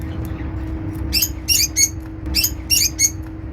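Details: African lovebirds bathing in an aviary, making happy sounds: sharp high chirps in short clusters, about six bright notes over the second half, over a steady low hum.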